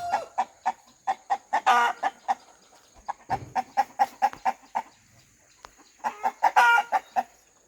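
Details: Rooster in a farmyard clucking in quick rhythmic runs, with a few louder rasping squawks mixed in, a short pause, then renewed clucking and another harsh outburst.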